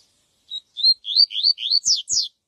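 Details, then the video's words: Yellow-bellied seedeater (coleiro baiano) song, "viviti" type, for training: a quick phrase of about seven high, sweet upslurred notes ending in two sharper, higher down-slurred notes. "coleiro baiano canto viviti pra encarte"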